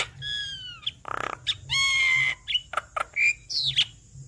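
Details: Varied Javan myna song for urging a reluctant bird to sing: smooth level whistles, a rasping burst, a long drawn whistle, then scattered clicks and a falling high squeal over faint hum.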